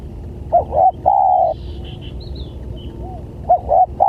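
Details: Spotted dove used as a lure for attracting other doves, giving stuttered double coos and a long even coo, then a softer distant coo and the phrase starting again; small birds chirp faintly in the background.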